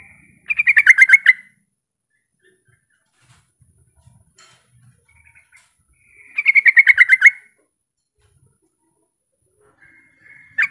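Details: Sooty-headed bulbul calling to lure rival bulbuls into answering: two bursts of about eight rapid bubbly notes, each falling slightly in pitch and lasting about a second, separated by roughly five seconds of near silence.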